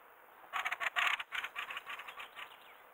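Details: Fieldfare near a river with close fly-pasts: a burst of harsh, rapid clacking rattle notes, loud at first, then a looser series of dry chatters tailing off.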